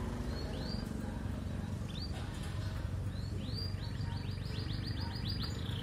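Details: Canary song of sparse high upward-swept notes that speed into a rapid run of repeated chirps near the end, against steady low traffic-like rumble.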